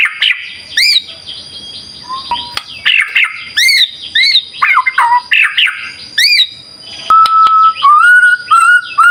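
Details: White-rumped shama lure song: loud clipped chack-like notes and short whistles, a falling slurred phrase, then a long, level whistle stepping slightly upward in the last seconds, over a faint constant high tone.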